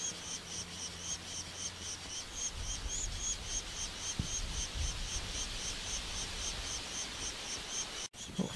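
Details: A nest of unseen woodpecker chicks in a tree, with the worried mother seen nearby, keeps up a high, buzzy morning chatter pulsing about four times a second without pause. Traffic noise, low rumbling wind and handling noise are behind it.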